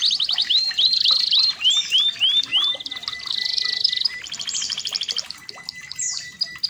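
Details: Red canary, a red-factor canary, singing a training song: a run of upward-curving slurred notes repeated about three per second, then a buzzy sustained trill and fast chopped rolls, with quieter chips trailing off.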